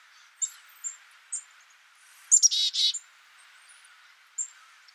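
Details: A single black-capped chickadee phrase of a few high notes followed by a burst of raspy, buzzy notes, surrounded by soft isolated chirps from other birds.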